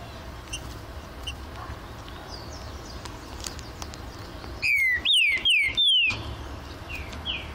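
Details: Aviary-kept green-winged saltator: after several seconds of quiet hiss and faint distant notes, a burst of loud, ringing, downward-slurred whistles, three to four in quick succession, ending with a softer rising note.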